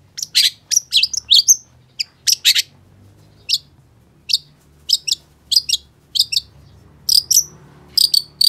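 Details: Long-tailed shrike singing harsh, scratchy chips in rapid doubles and triples, some with a brief whistled tail, spaced by short silences.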